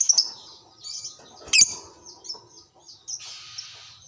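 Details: Hobby lovebird of the fighter kind calling back to another lovebird; high squeaky notes and chatter, one loud harsh shriek in the middle, ending in a buzzy grating trill.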